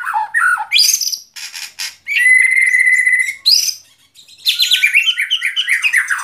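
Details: White-rumped shama song with quick upward whistles, a long steady clear whistle lasting about a second and a half, then a fast burst of rippling, chattering notes.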